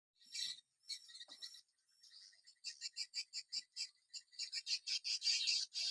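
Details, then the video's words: Swiftlet calls in Kalimantan: quick, buzzy chirps repeated about every third of a second, starting scattered and becoming a steady, louder train. "RESPON BURUNG WALET DI MUSIM INI"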